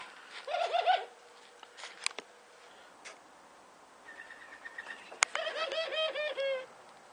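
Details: Domestic Barbary doves give two bursts of soft, rapid, rolling chuckles, the typical laughing call, with a thin steady whistle faintly between them.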